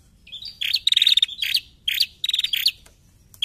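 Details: Bar-winged prinia, a female, recorded to train other birds: dense high ticking runs broken by sharp rising squeaks, several phrases in quick succession over low background hum.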